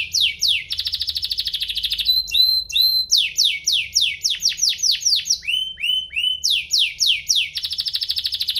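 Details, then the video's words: Domestic canary singing to provoke rival canaries to sing: a ringing buzzy trill, brief clipped chip notes, then repeated tours of fast descending whistles and upslurs, varied and continuous. "burung kenari ini pintar pancing emosi, Pancingan kenari biar gacor"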